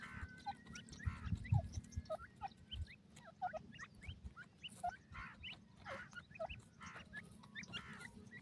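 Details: Grey francolin chicks during feeding: many short, thin chirps and peeps, some rising and some falling, scattered and overlapping throughout, over a low steady rumble.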